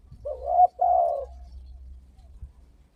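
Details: Spotted dove cooing used as a lure to set other doves calling. Two mellow coo phrases follow closely one after the other, then fade out, with a faint low hum underneath.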